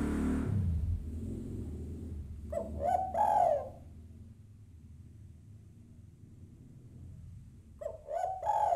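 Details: Female spotted dove calling to a male: after an initial rumbling noise, two coo phrases of short notes leading into a longer, fuller coo, over a low background hum.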